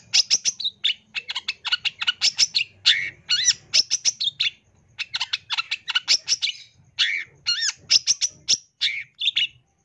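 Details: Tutoring song of a long-tailed shrike with rich rapid-fire phrases. Fast volleys of sharp, high chips and harsh notes, broken by short gaps and occasional upslurred whistles, play over a faint low hum.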